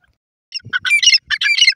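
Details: Harsh, squawky grey francolin notes in a quick, rough burst of several grating syllables lasting just over a second.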